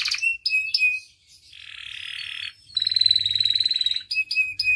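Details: Singing canary in a tutor and lure recording: short clipped whistles, a harsh buzzy stretch, then a long rapid rolling trill and more whistled notes, over a faint low hum.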